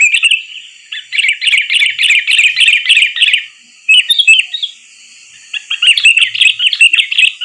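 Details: {'caption': 'Sooty-headed bulbul call used as a trapping lure: rapid runs of bright, chattering high notes in bursts of about two seconds, separated by short pauses, with a faint steady hiss behind.'}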